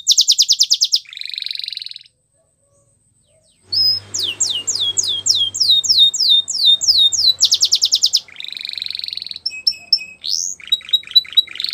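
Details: Training song of a canary for young birds: a rapid pulsed trill and buzzy roll, a silent gap, then rhythmic descending sweeps, repeated trills, flat whistles and quick upward notes.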